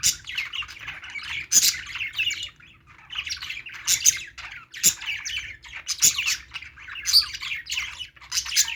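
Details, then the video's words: Budgies playing, chirping steadily: dense bursts of scratchy, buzzy high chatter and squawks, with sharp clicking ticks recurring about once a second. "budgies playing sounds"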